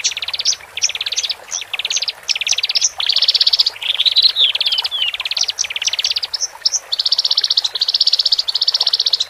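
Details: Singing from a male and female Horsfield's bush lark, used to calm caged birds just taken from a group: a series of short, fast rattling trills, high and even, with a few slurred whistles midway.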